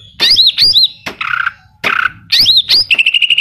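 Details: Greater green leafbird in full song with kapas tembak and cililin mimicry, alternating looping whistled phrases with harsh buzzy notes and closing on a rapid even trill.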